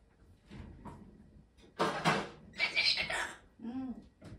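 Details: Blue-eyed cockatoo exchanging its daily morning greeting with its female owner indoors: two loud, raspy, voice-like bursts of mimicked talk, with her speech around it.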